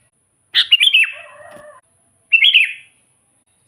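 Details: Sooty-headed bulbul in lively full song, used as a lure to attract wild bulbuls for trapping: two short bright chattering phrases of quick up-and-down whistled notes, the first trailing into a softer lower warble.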